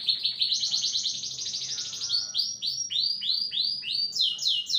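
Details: Canary, described as excitable and agitated, singing continuously: rapid rolling trills of repeated high notes, shifting into a series of falling swept whistles repeated about three per second, with a higher trill at the end.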